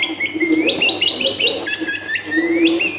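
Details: Long-tailed shrike singing continuously to prompt a lazy bird, recorded in a dense residential home: a flowing run of high whistled notes that step up and slide, with a lower warbling layer beneath.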